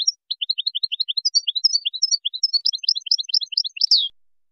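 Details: Moroccan goldfinch singing a Widani-style song composition, 2019: four seconds of steady, rhythmic twittering with paired high and low chirps, building in density and ending in a loud downslurred buzzy note.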